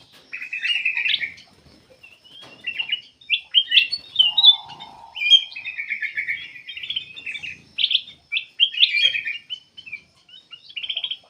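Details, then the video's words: Black-capped bulbul singing continuously, intended as a lure to make other birds sing: repeated buzzy, rattling phrases and bright chirps in quick bursts, with one brief low whistle near the middle. "KUTILANG EMAS \ CUCAK EMAS GACOR FULL GACOR sangat bagus buat pancingan \ pikat"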